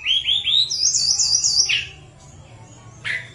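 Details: Sunda robin song used as a lure to get reluctant birds singing: three quick rising whistles run into a high, rippling warble, then slide down; a lone clear note follows after a pause.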